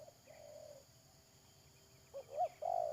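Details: Spotted dove used as a decoy for trapping, recorded 31 May 2022: a soft low coo, then a short two-note rising phrase and a louder drawn-out hooting coo at the end, with a steady background hum.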